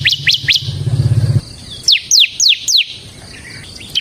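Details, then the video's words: Bar-winged prinia of the ciblek semi form singing ngebren, used to lure ciblek kristal and train other songbirds: a few quick rising chirps over a low rumbling hum, then four loud, descending slurred notes. "suara burung CIBLEK SEMI GACOR Ngebren Ampuh untuk Pancingan Ciblek Kristal dan Masteran Ciblek"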